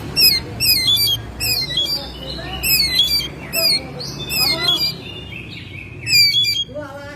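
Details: Oriental magpie-robin kept at home, singing in May: rapid bursts of sharp, high twittering notes, each burst sliding downward, repeated about every half second with brief whistles between, over a low steady hum.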